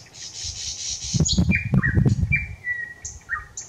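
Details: Thrush nightingale singing on 25 May 2021: a buzzy high rattle, then a burst of dry clicking knocks, followed by clear sustained whistles and short high notes, with low rumbling background noise.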